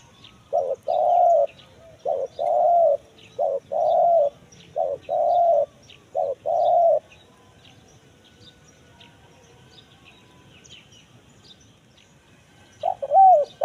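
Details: Lure call of a spotted dove in the kuk 1 mersik type, meant to attract wild forest birds: six evenly spaced paired coos, a quick note then a fuller one, then a long quiet gap and a final rising phrase.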